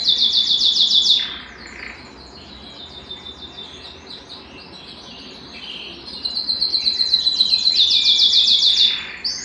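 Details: Canary excited and wanting to mate sings a fast high trill, falls quiet with soft notes for several seconds, then returns with loud rapid repeated trills.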